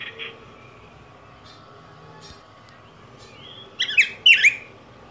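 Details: Yellow grosbeak (Pheucticus chrysopeplus), a Mexican and Guatemalan songbird, giving two loud, rich warbled phrases after a long quiet stretch with faint scattered chirps and a low background hum.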